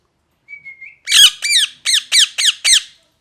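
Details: A parrot gives a thin, steady whistle with a slight upturn at its end, then breaks into six loud, grating squawks repeated at a steady quick pace.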